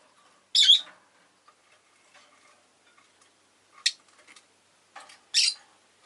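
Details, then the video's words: Shrill, rasping calls from a pet rosy-faced lovebird, three separated bursts: a loud harsh one first, a thinner sharp peep midway, and a buzzy squawk near the end, with faint ticking in between. "Lovebird Chirping Sounds"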